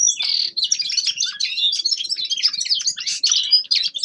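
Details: A young male common linnet (Carduelis cannabina) sings a fast, continuous twittering stream of high chirps, buzzy trills and short whistled notes with no pauses.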